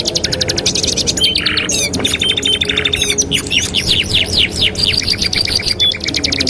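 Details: Canary singing, meant as a master song for teaching canaries: rapid high trills and sharp sweeping chirps at about four per second, interrupted by short buzzy rolls.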